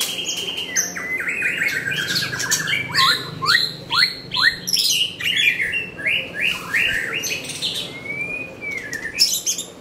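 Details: White-rumped shama singing a rich, varied song: rapid runs of clear whistled and slurred notes, mostly high and bright, some rising and falling phrases, with short pauses between bursts and a faint low background hum.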